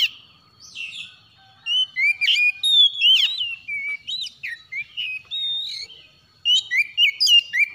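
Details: White-rumped shama in the morning delivering a long, lively string of whistled slurs, rising and falling notes and harsh chattering bursts, with a short lull before a final fast run.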